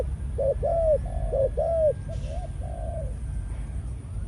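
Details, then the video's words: Male Malaysian spotted dove kept as a decoy, cooing in breeding condition. Clear, rounded notes come in a quick run, several swelling then dropping, with a faint low hum behind. "Chim cu gáy mồi || Nọc Neymar dưỡng vài kèo ăn đất rồi vào chế độ Sinh Sản"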